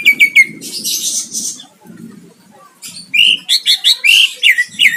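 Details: Greater green leafbird singing to challenge a rival, with a buzzy hissing passage over a low rumble, then a fast run of repeated bright chirping notes, about three per second.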